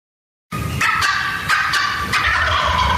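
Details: Adult wild turkey hen cutting, riled up and announcing it, a piercing call. After a brief silence come sharp, raspy clucks in an irregular burst, over a steady hiss.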